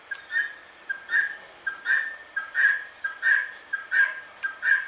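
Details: Indian ringneck parakeet in a very calm mood making sweet sounds: short, clear chirping notes, each often led by a brief softer pip, repeated steadily about every half second in a quiet setting.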